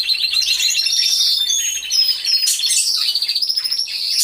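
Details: Chorus of canaries in an aviary, recorded by a hidden camera: unbroken high rolling trills and whistled notes, ending in fast pulsing repeated notes.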